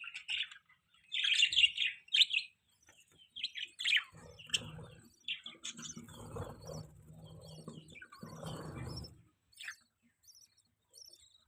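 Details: Budgerigar chirping in soft, short warbled notes and squeaky chirps, with low humming background noise in the middle section.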